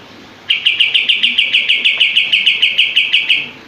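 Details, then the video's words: Common iora singing eagerly with its tail open. After a short quiet start comes a steady rattling series of crisp high notes, about five per second, continuing for three seconds. "Masteran Kapas Tembak Gacor buka ekor"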